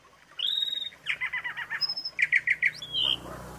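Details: Jalak suren filler phrase for tutoring: a drawn-out thin whistle, a grating chatter, a high pure whistle, four rapid squeaky notes and a final slurred whistle, over faint background hiss.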